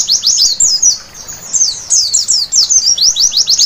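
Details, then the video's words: White-eye at night delivering high, squeaky twittering phrases with short gaps, ending in a few quick downslurred chirps. "Terapi Pleci Malam Hari Bikin Gacor seketika!!!"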